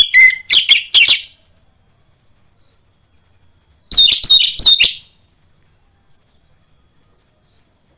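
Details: Orange-headed thrush singing as a lure to make other orange-headed thrushes sing: two short bursts of fast, high, squeaky notes about three seconds apart, separated by silence.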